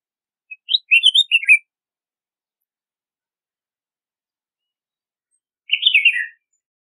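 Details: Red-whiskered bulbul singing: two short bursts of bright, warbling whistled notes, the first near the start and the second about five seconds later, separated by silence.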